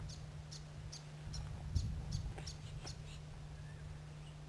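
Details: A White-throated Honeyeater in Queensland, Australia, a treetop insect-forager, gives thin, high, sharp notes, about two a second, over a steady low hum.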